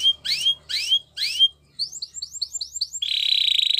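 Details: Gloster canary singing as a training song: three loud rising whistled sweeps, then a quick run of short repeated high chips, ending in a dense, steady buzzing trill.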